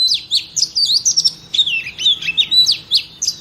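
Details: Female oriental magpie-robin singing to rouse males: a continuous warbling stream of twisting whistles and slurred chirps, high-pitched and run together, with no pauses.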